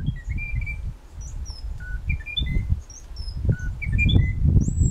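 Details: Endemic Munchique Wood-Wren (Henicorhina negreti) song in Tatamá Natural Park, Colombia: short, clear whistled notes, some rising and some falling, given in quick scattered bursts over a steady low rumble of wind.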